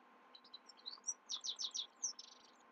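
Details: Himalayan goldfinch singing at night: bright, high twittering notes lead into a tight series of rapid descending chirps, followed by a thin whistled slur and more twitters.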